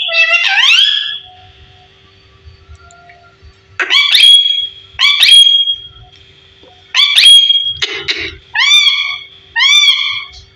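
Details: Fifteen-year-old parrot kept indoors, talking: a falling then rising harmonic call, bursts ending in held flat tones, and two short arching, speech-like notes near the end, separated by pauses.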